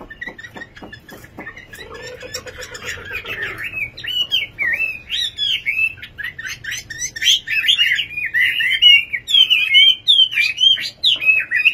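A nightingale sings a rich, fast run of varied whistles, warbles and trills that grows louder and busier after a few opening clicks and a low hum.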